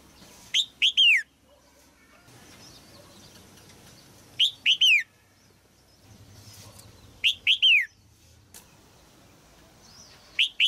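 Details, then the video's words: Caged female red-whiskered bulbul singing to arouse an adult male: four repeats of a three-note whistled phrase, roughly every three seconds, each ending in a long downslurred note, with quiet background murmur. "นกหัวจุก birds นกตัวเมียขับขานอย่างไพเราะในกรงเพื่อกระตุ้นนกตัวผู้ที่โตเต็มที่"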